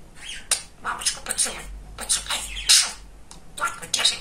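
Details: Talking male budgerigar kept as a pet: thin, high, whispery speech-like syllables and clicks in uneven bursts, with a faint low hum underneath.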